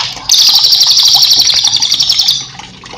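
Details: Velvet-fronted Nuthatch song for training cage birds, one intense high trill of rapidly repeated notes lasting about two seconds, then fading, with faint water sounds behind.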